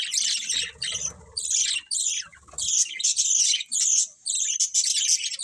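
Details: Several colourful pet budgerigars chirping: dense bursts of scratchy, high chatter in short clusters, broken by brief pauses, with faint low thumps underneath.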